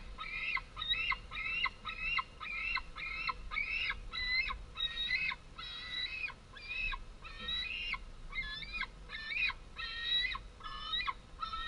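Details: White-tailed eagle young, long since fledged, screaming for food at the nest when a female arrives with small prey on 11 August 2014; insistent, evenly repeated harsh harmonic yelps, about two every three seconds, each with a sharp upward kink.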